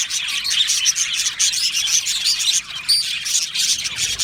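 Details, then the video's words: Budgerigars in an aviary, described as happy, giving a dense overlapping chorus of high, rapid chirps and warbles with no pauses, many birds calling at once. "Happy Budgie birds chirping sounds"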